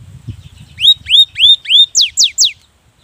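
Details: Cinereous tit lure recording meant to prompt lazy tits to sing: a quick run of about seven bright whistled notes, upslurred then sharply falling, roughly four per second, over faint low rumble.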